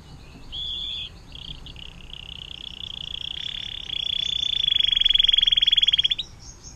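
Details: Canary singing the long 'air mancuran' (water fountain) song, a tutor recording for magpie robins, greenbirds and shrikes; short trill phrases build into a sustained, rapid, rattling trill growing louder until it stops abruptly after six seconds.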